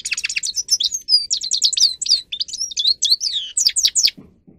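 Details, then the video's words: Dense, fast goldfinch song from Carduelis caniceps, used to encourage birds to sing loudly: tumbling twitters and liquid descending whistles in quick series, fading into a couple of low soft notes at the end. "Goldfinch song Best for training"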